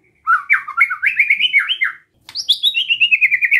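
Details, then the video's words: White-rumped shama besetan song for provoking other birds: a continuous chattering warble of quick slurred notes, a brief break, then a high whistled phrase trailing down in rapid pulses. "Suara Besetan Santai Mancing Emosi Murai Lain | PANCINGAN MURAI BATU"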